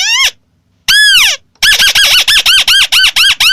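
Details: White-browed crake: two separate arched nasal notes, then a steady run of quick, repeated, squeaky arched notes, about four per second.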